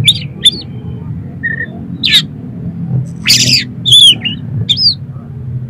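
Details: Oriental magpie-robin singing rough, varied material meant to provoke another magpie-robin: scattered sweet whistled notes, a short flat whistle, harsh noisy bursts and looping high phrases over a low hum.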